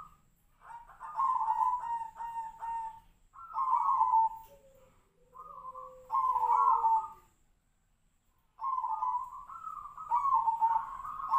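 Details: Tejoanom-style zebra dove, judged for a unique voice delivered in monotone half beats and closed with up to three beats; four rolling, trilled coo phrases separated by pauses, with a faint lower falling whistle between them.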